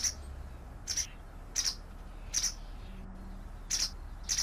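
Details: Repeated high, squeaky chirps from a white wagtail, roughly every three-quarters of a second, with a short pause before the last two. Quiet low rumble behind.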